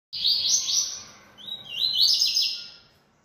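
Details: Caged yellow-bellied seedeater (coleiro-baiano) singing a lot: two bright, high phrases, the first a level buzzy trill, the second rising then breaking into quick warbled notes, separated by a short gap, with a faint low background hum.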